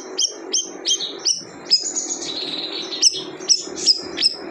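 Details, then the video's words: High, sharp chirps from a siri-siri bird, briefly broken by a longer sustained whistle in the middle, then resuming as quick separate ticks over background hiss. "Suara Unik Burung Siri - Siri"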